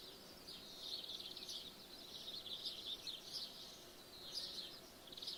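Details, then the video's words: Morning birdsong heard through an open window: soft, high twittering phrases that come and go in waves, partly blurred by a steady background hiss. "In The Morning With The Window Open Woken Up By Birdsong"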